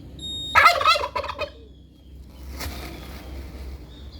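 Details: Lone domestic turkey, aggressive and eager for a partner, bursts into a fast, throaty rattling gobble of about one second, then fainter rustling and a high faint whistle nearby.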